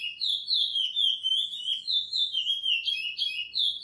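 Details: A brown Chestnut-bellied seed finch (curió) sings the "praia" song style, edited for training, as a continuous run of rich, warbled whistles that slide up and down, with quick linked notes.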